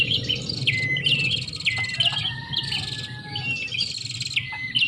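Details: Prenjak (Bar-winged prinia) lure recording for attracting birds: busy high buzzy trills broken by quick downward-slurred chips, a steady low rumble underneath.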